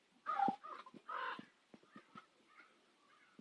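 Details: At sunset on Nose Hill in Calgary, common ravens give two raspy croaks close together, followed by softer, fainter calls and a few clicks over a quiet background.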